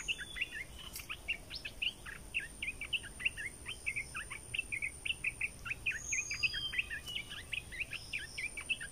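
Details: Red-eyed bulbul decoy sound: a long, rapid stream of short chirpy notes running steadily for nine seconds over a faint background hum.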